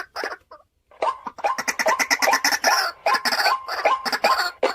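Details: Domestic decoy white-breasted waterhen giving a short harsh note, a brief pause, then a fast jumble of loud croaking, clucking calls.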